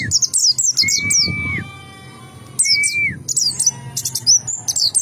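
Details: Oriental white-eye (pleci) singing loudly in the ngalas style: rapid, very high chirping phrases with a clear rising whistle that drops at the end, broken by a quieter pause, over low background rumble.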